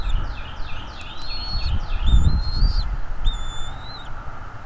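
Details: At the nest on 23 April 2021, 07:25, a Bald eagle opens with a quick series of falling, chattering high notes, then two long, level whistles with drooping ends; low thumps from the nest in between. Nest camera recording.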